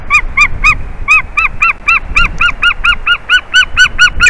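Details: White-tailed eagles at a nest in Durbe, Latvia, 10:55 am on 4 March 2023, as fish is brought to the mate. A rapid run of sharp, arched yelping notes, about three to four per second, over faint low rumble.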